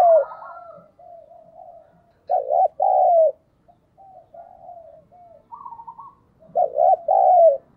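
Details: Decoy spotted dove calling to draw in wild doves: soft low murmured phrases, then strong paired coos with a longer drawn-out second note, repeated twice.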